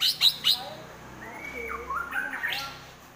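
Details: White-rumped shama in fighting mood, delivering a rapid 'trotol' style of song: three sharp, high chirps in quick succession open, then a pause before softer slurred whistles that rise and fall near the end, over a faint low hum.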